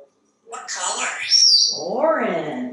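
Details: African grey parrot perched in a kitchen waiting for dinner, chatting in human-like speech sounds, a breathy hiss, then a bright whistle and a warbling spoken phrase.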